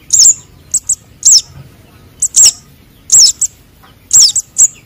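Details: Sunbird chicks, konin and sogon, giving lure calls: sharp, high-pitched slurred squeaks alternating with paired tiny chips, roughly one burst per second, irregularly spaced, with a soft low background rumble.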